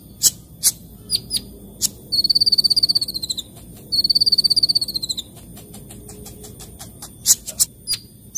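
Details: Sunbird singing actively in the morning, likely a cage bird: two long fast rattling trills, slightly falling, framed by scattered sharp high ticks and chirps.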